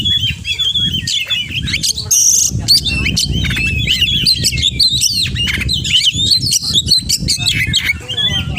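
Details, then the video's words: Kacer, or oriental magpie-robin, delivering 'full isian' song: rapid repeated whistled slurs, chattering sequences and a brief buzzy burst, dense and unbroken throughout, with low-pitched background noise. "Kacer Gacor Full Isian"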